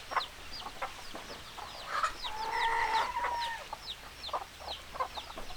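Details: Hens clucking rapidly and irregularly, broken midway by a drawn-out, steady, harmonic call lasting over a second, then more clucks, with high thin descending peeps throughout.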